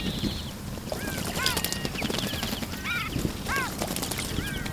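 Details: Bathing Iberian magpies in a fountain give scattered arched calls, a few stacked and emphatic, separated by brief pauses, while water splashes and patters loudly in the background.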